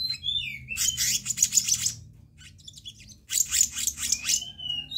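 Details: Flycatcher-shrike (kehicap ranting) lure recording: bursts of rapid, buzzy high chirps and trills, with short rising whistled notes before and after, two dense phrases separated by a pause.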